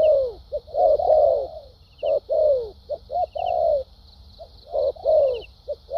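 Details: Decoy spotted dove with a classic cooing repertoire: deep coos in irregular clusters, long drawn falling notes mixed with quick short ones, a brief pause midway, and continuous high buzzing behind.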